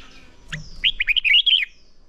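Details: Red-whiskered bulbul trained to provoke singing in fighting-song style: a sharp chip, then a fast, fluid run of liquid whistled notes lasting under a second, rising and falling in pitch.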